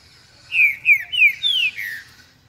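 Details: Trinca-ferro, the green-winged saltator, giving its "eu sou terrível" song: a brisk phrase of five bright, downward-slurred whistles, the first four short and evenly spaced, ending on a longer, falling note; quiet background.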